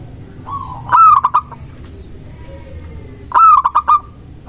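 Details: Singing local zebra dove, a lure to draw in and provoke rival doves: two loud phrases, each a short rolling coo breaking into several quick clipped cooing notes, separated by quiet background.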